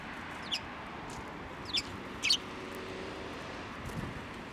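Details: Eurasian tree sparrows flying onto a hand to be fed at a Tenmangu shrine on 7 November 2023; three short, bright chirps spaced over about two seconds above a low, steady background murmur.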